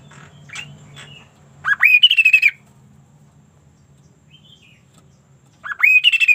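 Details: Sunda laughingthrush singing with unusual vigour: two loud phrases, each opening with a rising note and running into a rapid stuttering burst of bright notes, separated by a long quiet gap with a low steady hum behind.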